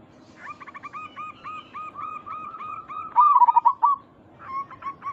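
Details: Local zebra dove used to lure others into answering: a run of short, evenly spaced rising notes near one pitch, then a loud rolling, warbling coo phrase and a few closing notes.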